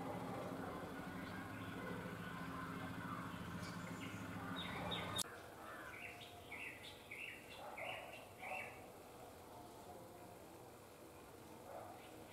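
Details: Bronzed drongo perched on a wire, singing. Steady background noise at first, then a short run of clear, bright notes at mid-high pitch, repeated about every half second, followed by quieter scattered notes.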